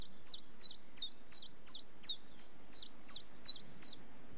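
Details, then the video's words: A common chiffchaff sings a string of eleven bright, clipped notes that alternate slightly in pitch, evenly spaced about a third of a second apart against faint background noise. "Chiffchaff Bird Call - Bird Song"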